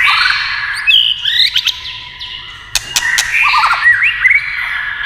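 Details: White-rumped shama singing after tail-tapping sounds prompted it: clear sustained whistles and sliding notes, a quick series of curved chirps near the end, and a few sharp clicks of tapping in the middle.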